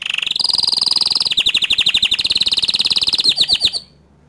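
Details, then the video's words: Canary whose song is said to make other canaries join in: a steady rapid trill that drops slightly in pitch after a second, then a looser pulsing roll ending abruptly in quiet. "Kenari Lain Pasti Emosi Dengar Kicau Kenari Ini Dan Auto Ikut Gacor Dor Juga"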